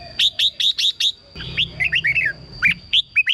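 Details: Red-whiskered bulbul singing to excite caged birds: five rhythmic whistled notes, then a jumble of lower warbled slurs and a few final chirps, with a thin high tone and low hum.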